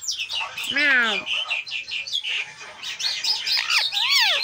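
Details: Green pet parrot chattering nonstop: rapid squeaky syllables and chirps, one falling whistled glide near the first second, then dense babble ending in short arching upward-downward notes; faint background hiss.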